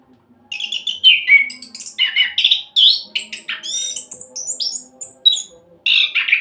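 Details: Orange-headed thrush in rapid rolling song, played as a lure for other songbirds: after a short quiet start, loud varied whistles, buzzy sweeps and chattering trills pour out almost without pause.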